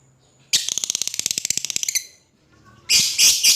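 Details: Lovebird calling to a rival: a fast rattling burst of clipped chips for about a second and a half, a pause, then three piercing screeches.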